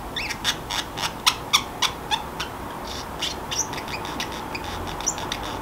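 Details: Drowsy Pacific parrotlet, a free-roaming house pet, babbling alone in a hushed room: a run of sharp, evenly spaced chirps and ticks, then softer, thinner squeaks with small gaps between.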